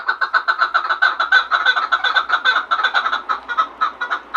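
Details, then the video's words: Rapid, dense chuck-chuck calling of a chukar partridge from Gharm, harsh clucking notes tumbling almost continuously at a quick, slightly irregular pace. "Кабки сураки Ғарм"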